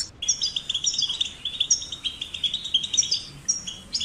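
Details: Goldfinch chicks in cage and nature used for singing stimulation; an almost continuous liquid twitter of high, overlapping warbled notes, rolling and fluttering with little break, faint background hiss.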